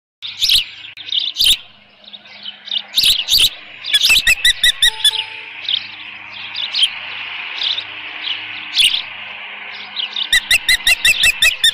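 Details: Osprey at a nest on 13 June 2018, late morning, with leftover fish: scattered sharp high chirps, then a loud rapid burst of repeated piercing notes near the end, with softer chirping between.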